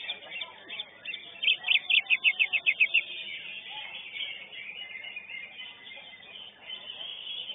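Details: A Greater green leafbird at a songbird contest, placing third in its class, sings a burst of about ten quick, bright, high notes over about 1.5 seconds, set against constant chatter from other birds.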